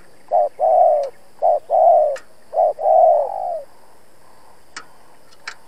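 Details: Spotted dove decoy for trapping, calling to challenge and draw in wild rivals: three paired phrases of a short coo followed by a longer mellow coo, the last trailing off, then silence with light clicks.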